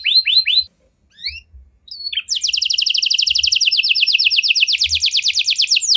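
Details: Canary 'cengkok mewah' song used to prompt other canaries; a few swooping notes, a brief lull, then a very rapid, steady buzzy trill lasting several seconds.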